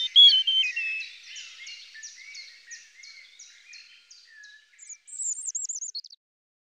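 European robin song: a rapid descending cascade of thin, high, twittering notes, then a pause and a few sweet, wavering high whistles. No other sounds stand out.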